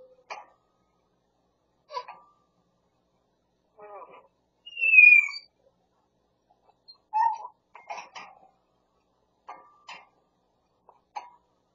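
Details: A talking pet grey parrot, which mimics a cat, a Pungsan dog and a man calling the cat, makes short speech-like mutters and clicks about every two seconds, with one bright sliding whistle midway, in a quiet room.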